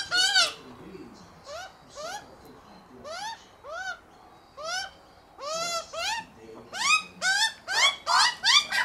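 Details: A hungry Australian magpie family eating peanuts in a Melbourne backyard gives harsh, nasal, upward-sliding squawks, repeated about twice a second and overlapping as several birds call together.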